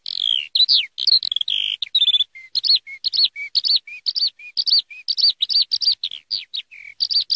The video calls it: Eurasian Skylark (Alauda arvensis) sound / (صوت قنبرة الغيط (مطوق